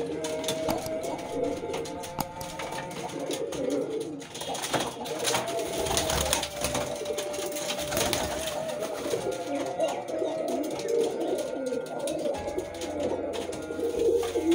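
A Kaldom pigeon gives low, throaty rolling coos, overlapping and continuous, with faint voices and room noise behind.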